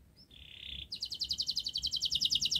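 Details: Canary singing to coax reluctant canaries into song: a short sustained buzzy roll, then a fast, evenly pulsed high trill of repeated notes.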